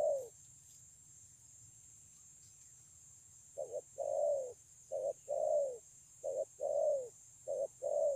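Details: Spotted dove, a wild-caught bird with a very good voice, Kon Long, 9 June 2020: silence for over three seconds, then a run of low coos, each a short note leading into a longer downward-bending one, under constant hiss.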